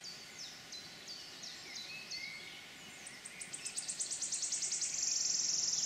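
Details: Wood warbler recorded in the Forest of Dean, 6 May 2018: a run of spaced, high ticking notes quickens into a fast, loud, sibilant trill that ends in a sustained buzzy shiver.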